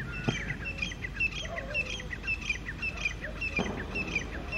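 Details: Wild grey francolins from two groups clashing over territory on an early October 2022 morning, calling loudly from high rocks; rapid, rhythmic bursts of sharp high notes repeat almost twice a second, with softer lower chatter and faint background noise.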